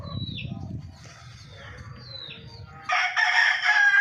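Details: Golden Misri chicken: soft whistled descending chirps from small birds over low rumble, then a loud harmonic crow-like call bursts in at the end and holds for over a second.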